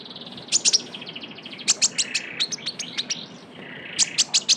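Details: Young Javan white-eye calling actively as a lure sound: bursts of sharp, high chirps in quick clusters with short pauses, then a thin buzzy trill and a final run of rapid high notes.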